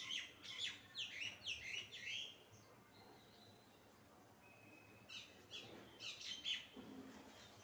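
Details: Pet parrot giving rapid bursts of short, bright chirps and tweets, clustered in a quick run, then a pause, then another burst of sharp downward-sweeping notes, with faint room hiss between.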